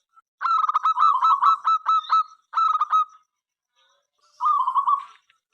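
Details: Local zebra dove singing to invite other doves to sing: two bursts of rapid, stuttering mid-pitched coos, the first about two seconds long, then a pause and a shorter rolling trill near the end.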